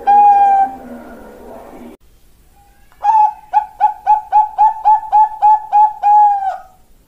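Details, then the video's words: Perkutut, a young Bangkok-type zebra dove, singing a quality lure song: one drawn-out mellow coo over a low buzz, a second of silence, then a rapid string of about twelve short, evenly pitched coos ending in a longer note. "Pancingan Perkutut Bangkok Piyik Kualitas Super"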